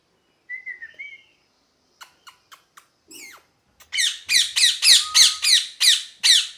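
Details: Parrot calling: a few soft chirps and short clicks, then a rapid series of loud, harsh, screeching squawks repeated about three times a second. The room is otherwise quiet.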